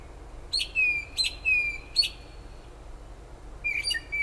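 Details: Unidentified bird heard late at night and early morning near a kitchen window in south-central New Jersey; a run of three sharp chirps with level whistled tails, a pause, then a final chirp, against constant background hum.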